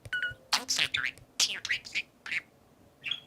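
A budgerigar gives a rapid run of bright, scratchy chirps and warbles, high-pitched and uneven, with brief pauses between bursts.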